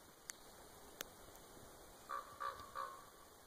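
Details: Common raven calling from a tree near Winlock, Washington, USA: three short, hoarse croaks in quick succession near the end, after two sharp clicks, over a quiet background with a steady high hiss.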